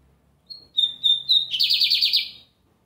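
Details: Lined seedeater singing on a Sunday: three clear, level whistled notes near the same pitch, then a fast buzzy trill of repeated rising-falling elements lasting about a second, in a quiet setting.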